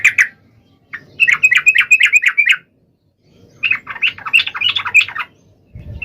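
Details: Sooty-headed bulbul in full song, calling out to a rival: a brief opening note, then two quick runs of warbling, chattery phrases separated by a pause, and a low thump at the end.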